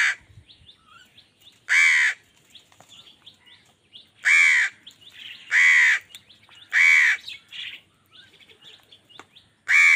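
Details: Crows calling while fighting with wild birds over food, angry; loud harsh caws, about half a second each, come in well-spaced bursts, with faint chirps of smaller birds between them.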